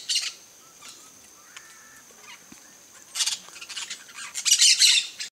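Harsh, high squawking bursts from a Campo Flicker, one at the start and a louder cluster in the second half, with a faint steady hiss behind.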